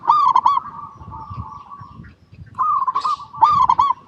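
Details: Local zebra dove singing, a recording meant as a lure to get other zebra doves singing: quick bursts of three or four ringing, rolling coos with long, steady, lower humming tones between them, over a faint low rumble.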